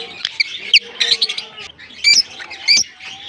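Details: A colony of African lovebirds keeps up continuous shrill chatter, broken by harsh squeaky notes at about 0.75, 2.1 and 2.7 seconds.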